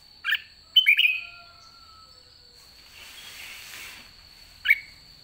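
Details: Caged red-whiskered bulbul late in the season: a sharp note, then a fast bubbly whistled phrase, a soft hiss, and one more short note near the end, with a faint steady tone throughout.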